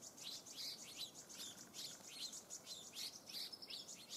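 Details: Stripe-throated yuhina in a flock feeding on rhododendron nectar, springtime 2019 at Eaglenest Pass, Eaglenest Wildlife Sanctuary, Arunachal Pradesh, India: rapid high, thin chirps tumbling in quick irregular succession, about three per second, over a soft background hiss.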